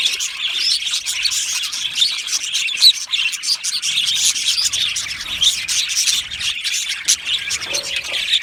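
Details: Colony of Australian budgies chirping and singing in cheerful chatter: a steady wash of high, scratchy twitters and clicks with scattered sharper chirps, the flock never falling silent over several seconds.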